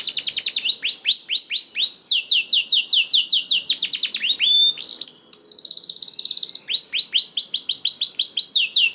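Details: Canary in full song, meant to get other canaries singing along: long rolling tours of fast down-slurred whistles alternating with flat buzzy trills, steady and loud, with only short breaks.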